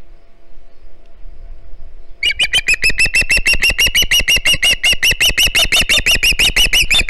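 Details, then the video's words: Hog Island juvenile Osprey calling for fish at its nest, live cam, 09 September 2019: two seconds of near silence, then a continuous stream of sharp, regular chirps, roughly three per second. "Another fish for noisy Halley! Hog Island Ospreys."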